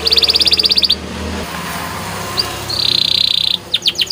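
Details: Canary training song: a quick run of repeated chirps, a pause with background hum, then a buzzy rolled trill and a few falling whistled notes.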